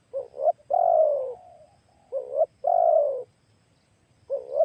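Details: Big-voiced spotted dove used as a lure to attract wild doves; clipped rising double notes then a sustained, slowly falling coo, repeated twice before another phrase begins, in a quiet setting.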